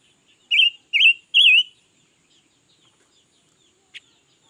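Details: Newly acquired red-billed leiothrix singing all day, recorded in 2021: three loud, looping warbled phrases in quick succession, followed by near silence broken by one sharp click.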